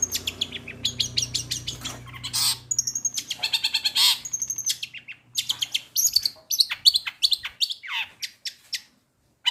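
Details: Captive long-tailed shrike singing a long, varied medley of learned material: dense clicks and chirps, short high whistles, harsh bursts and downslurred notes, trailing off into silence at the end.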